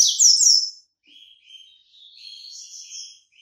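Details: Bahian white-breasted yellow-bellied seedeater coming out of moult: two loud, sharp, descending whistles, then a softer, drawn-out sequence of buzzy, warbling notes.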